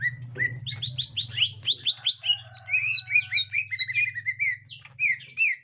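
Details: Green leafbird (gotri) meeting a young forest bird, pouring out a long run of quick varied chirps and slurred whistles at a fast steady pace, over a constant low drone.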